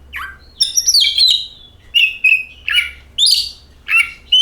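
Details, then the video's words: Oriental magpie-robin singing, played as a lure to prompt other birds into song: a long sweet whistled note, then short ringing chirps and rough slurred phrases in quick succession, bright and high. "DENGAN VIDEO INI KACER AUTO GACOR, Suara Burung Penyejuk Hari, Pancingan Kacer"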